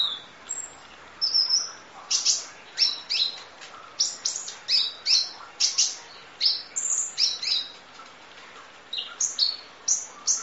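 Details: Sunbird known locally as kolibri ninja, full filler song for training: a steady stream of piercing high chirps, quick down-swept twitters and short flat whistles repeated over ten seconds.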